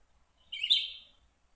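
A Red-eyed Vireo gives one short, slurred, robin-like song phrase, rising then falling, lasting about half a second. The background is quiet.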